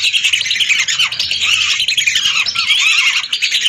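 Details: Hundreds of lesser whistling ducks calling at once, a recording meant as a lure; a steady wall of shrill squeaky whistles and chatter, with many birds overlapping and no gaps.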